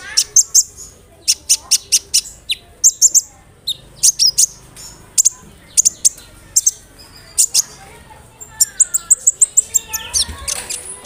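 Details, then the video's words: Lively sunbird song meant to get other sunbirds answering: bright, very high chips and twittering bursts repeated in quick clusters, building into a dense run of thin, sweet trills at the close. "SEMUA BURUNG KOLIBRI NINJA AKAN NYAUT DENGAN SUARA KONIN INI"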